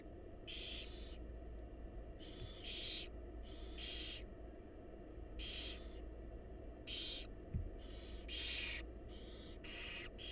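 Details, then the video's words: Wild barn owl chicks begging in a monitored nest box during a feeding visit by their mother: roughly eleven loud, harsh hissing rasps, often paired, filling ten seconds above a low steady hum. "Barn Owl Mom Lovingly Feeding Her Adorable Babies"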